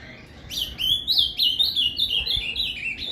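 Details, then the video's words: Ultramarine grosbeak in Paraná canto fibra style, played to warm up a caged azulão: one continuous phrase of brisk, ringing, slurred notes delivered in quick succession. "ESQUENTE seu AZULÃO com esse PARANÁ CANTO FIBRA !"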